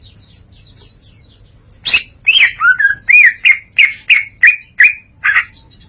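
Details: Greater green leafbird ngeplong song with mimicry: faint high twitters, then a loud sequence of about ten slurred whistles, each rising and falling, delivered at a steady pace.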